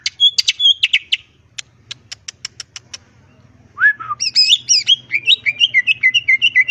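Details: Wild greater green leafbird with a varied challenge song that makes other birds answer. Warbled chirps give way to a run of dry ticks and two lower swooping whistles. A lively stream of quick looping whistles and chirps follows.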